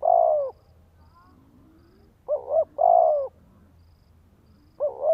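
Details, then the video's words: Spotted dove cooing to rouse a male, Vietnam: a long level croo, then a full phrase of two quick coos and a drawn croo, then another pair of short coos, over faint low background sounds. "Chim Cu Gáy Thúc Gù Kích Bổi Nhanh Nổi - Cu Gáy Thúc"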